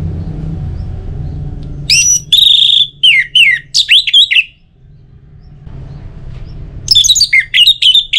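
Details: Varied orange-headed thrush song meant to encourage other birds to sing: sweeping, buzzy-edged whistles and quick slurred notes in two bursts separated by a quiet gap, low rumble underneath.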